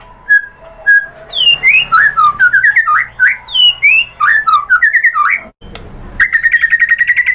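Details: White-rumped shama singing as a provoking lure: rich sequence of slurred, swooping whistled notes, a brief cut, then a rapid evenly repeated trill of short notes.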